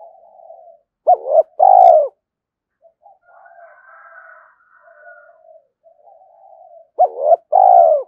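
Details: Spotted dove challenging a wild rival at morning: two loud coo phrases, each a pair of quick rising notes and a strong drawn-out coo, about six seconds apart, with softer distant cooing between them.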